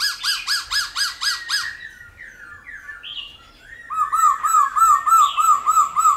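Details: Laughingthrush in the many-voiced 'old forest' song style, played to spur and train wild-caught birds: six quick rising whistled notes, then varied slurred phrases, then a rapid rolling series of repeated notes.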